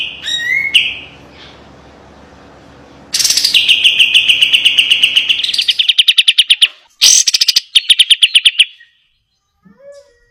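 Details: White-eye (kapas tembak) training song: an upward whistle, then a long rapid trill of repeated notes that breaks into distinct clipped pulses before fading to silence.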